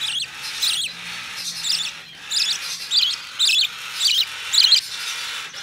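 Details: Hand-tame opaline budgerigar chick, recorded 25 November 2019, giving scratchy, wavering chirps repeated about every half second over a steady background hiss.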